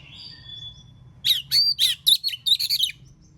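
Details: Oriental magpie-robin in the morning, singing ngeplong to make others of its kind respond: a thin sustained whistle, then a rapid stuttering series of about eight loud, sharp, rising-and-falling notes, with a soft low hum beneath.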